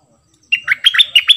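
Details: Brief phrase of cream-vented bulbul double song from June 2021: five loud, rich whistled notes in quick succession, each with a sharp downward dip.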